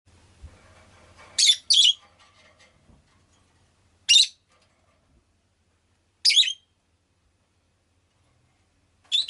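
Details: Rosy-faced lovebird, a pet bird, giving harsh, buzzy chirps in short bursts: a quick pair, then single notes roughly every two seconds, over a faint low rumble of background noise at the start.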